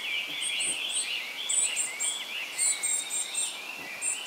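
Young varied tits give thin, high chattering calls in quick, overlapping runs, with fainter squeaky notes above them and a steady natural hiss behind.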